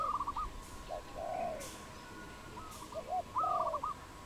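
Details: Dove in the wild in Cambodia, 22 April 2020, giving low soft coos while a higher rapid stuttering whistled call from another bird sounds at start and end; a few brief scraping noises.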